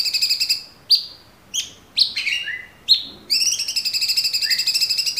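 A bulbul delivers rapid, high chattering trills broken by sharp chirps and short downslurred notes, ending in a fast buzzy run.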